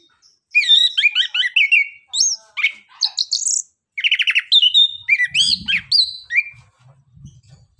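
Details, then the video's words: Orange-headed thrush song, 'nembak' and 'ngeriwik' gacor style, used to coax lazy birds to sing: long varied sequence of looping whistles, sharp high notes and rapid trilled chatter with short pauses, faint low rumble near the end. "Anis kembang suara nembak,ngeriwik gacor"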